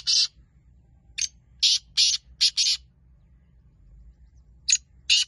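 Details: Rough, buzzy black francolin calls delivered in uneven clusters: a single note, a run of five grating bursts, a long quiet gap, then two more, with low background hum.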